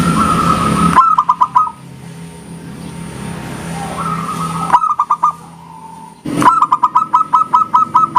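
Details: Local zebra dove that calls often, singing a clear engkel-style song that draws replies from other doves: bursts of short, hollow, clipped cooing notes repeated quickly at a steady pitch, with abrupt breaks and a traffic-like rumble behind.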